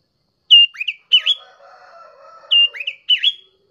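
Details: Sooty-headed bulbul, a young bird, gives repeated bubbly phrases of three fluty, slurred notes each, dipping then rising, with a low faint hum between the phrases.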